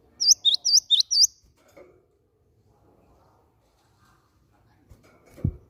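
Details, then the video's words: Cinereous tit lure call used to prompt other birds into singing: five quick, piercing chirps in a tight run, followed by near silence and a low thump near the end. "PANCINGAN BUNYI BURUNG GELATIK BATU"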